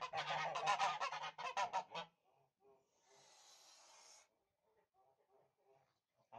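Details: Tula fighting goose, a domestic Russian breed, gives loud, harsh honks in a rapid two-second burst, then quieter scattered calls, with a brief hiss of background noise.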